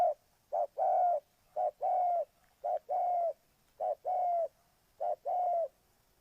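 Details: Spotted dove from Ninh Thuận, Vietnam, used as a lure for bird trapping. Five paired coos, each a short note followed by a longer one, repeated roughly once per second against a quiet background.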